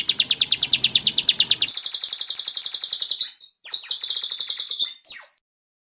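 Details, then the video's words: Small bird singing in full bursts, a clear, sharp tutor song for competition birds: a pulsed, ticking trill runs into a continuous high rattling trill, breaks briefly, then resumes and ends with a quick rising note. "SUARA BURUNG KECIL FULL TEMBAKAN"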